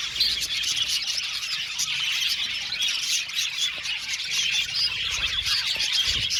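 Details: Australian budgies in an aviary colony chirping and warbling together, a thick stream of high twitters with scattered louder squeaks and a few soft knocks.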